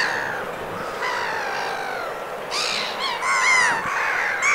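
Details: Winter-plumaged black-headed gulls, Vilaine estuary, Morbihan, France, 22 February: long, drawn-out grating calls followed by sharper, strident, arched squeals from more than one bird.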